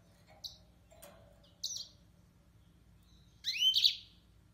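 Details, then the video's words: Yellow-fronted canary (Mozambique serin): two brief high chirps a second apart, then a longer bright twittering phrase with quick sweeping notes, over a faint low hum. "طائر الياسمين الموزمبيقي serin mozambique"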